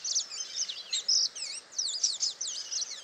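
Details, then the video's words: Free-living saffron finch in Itatiba, São Paulo state, Brazil, on the morning of 22 September 2018 (08:05), captured with a Panasonic HDC-HS80: a continuous, very high, rapid warbling of looping, sliding notes with faint ambient noise beneath. "Canto do canário-da-terra (Sicalis flaveola)"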